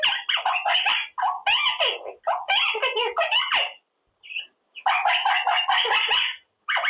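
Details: Male Quaker parrot talking and practising his words while in his cage, phrases like good boy, pretty boy, baby or thank you: rapid raspy mimicked speech in long runs broken by short pauses.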